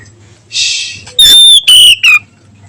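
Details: Oriental magpie-robin singing in the afternoon, nyiul style: a long clear whistle falling slowly in pitch, broken into pieces, after a short hiss.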